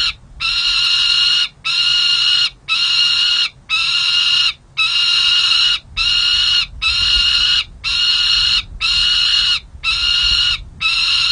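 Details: Juvenile peregrine falcons at the San Jose City Hall nest, June, during play and feeding: loud grating wails repeated steadily about once a second, each roughly a second long, eleven in sequence.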